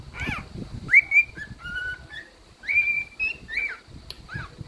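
A cockatiel whistles a tuneful song of clear, sliding notes, some rising and some held level.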